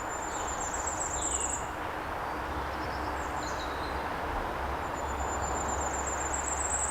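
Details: Firecrest calling in woodland in March, about eight or nine feet off the ground in its resident habitat area: faint, very high, thin run of rapid notes, heard twice, over steady low hum and broadband background noise.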